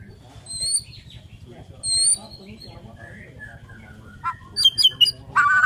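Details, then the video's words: White-rumped shama, Borneo form, singing in the morning: scattered high thin whistles and short downslurred phrases between quiet gaps, ending in a louder burst of sharp rising notes. "KICAUAN MURAI BORNEO PAGI BIKIN MURAI MANAPUN SEKETIKA TERPANCING IKUT BUNYI"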